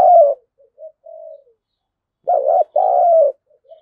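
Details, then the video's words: Spotted dove calling as a decoy to stir wild birds to fight: a loud coo fading, quiet soft coos, a pause, then a strong two-part coo with a long drawn second note. "Chim Cu Mồi Thúc Đấu/ tieng cu gay kich boi nhanh noi"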